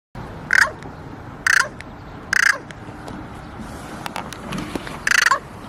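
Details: Young crow giving strange, harsh caws: four separate rasping bursts spaced about a second apart, with faint clicks and background outdoor noise between them.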